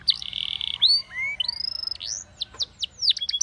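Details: Spanish Timbrado canary singing a training phrase: a buzzy level note followed by long arching whistles and short sharp downslurred notes.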